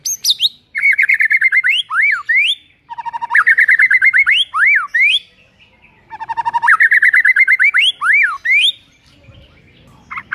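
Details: White-rumped shama song played in the morning to provoke a rival shama: loud, varied whistled phrases with rising and falling slurs and rapid repeated notes, delivered in three bursts separated by short pauses, over a quiet background.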